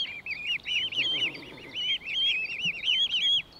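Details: Mute swan cygnets in a family moving through water feeding, filmed in late May 2023, give high, thin, wavering cheeps in rapid, overlapping runs, several young calling together over a faint low background rumble.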